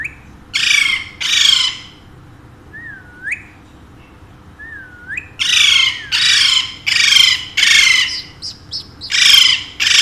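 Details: A pair of talkative pet Alexandrine parakeets that speak Urdu and Hindi give bursts of harsh screeching squawks, mostly in pairs, with a few short bent whistles between them, about ten calls in all.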